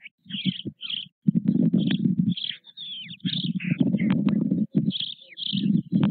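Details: Nest of white storks at Nové Mlýny, 8 May 2024: four almost equally grown chicks and their father. Loud, low rasping buzzes in long bursts broken by brief gaps, with high twittering chirps layered on top.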